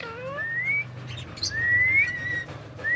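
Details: A pet talking Indian ringneck (rose-ringed) parakeet gives clear, rising whistled phrases, some drawn out and sliding upward, over a low steady hum.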